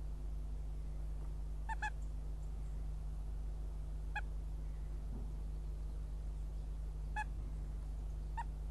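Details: Northern goshawk pair at a nest with eggs in Riga, 1 May 2016, male incubating as the female comes and goes; scattered brief, clipped harmonic calls, some doubled, over steady low hum and rumble.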